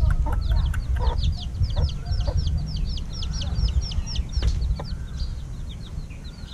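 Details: Week-old hatchling chickens being fed in the evening: a chorus of thin, rapidly repeated peeping notes, each sliding downward, with scattered pecking clicks and a heavy low background hum.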